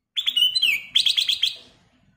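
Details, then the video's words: Black-crested bulbul in chatty prompting song: a loud whistled phrase slurring downward, then five quick, bright, ringing notes in a steady run, fading into quiet. "KICAU BURUNG KUTILANG EMAS GACOR suara Kristal / Pancingan Kutilang Emas Gacor full isian"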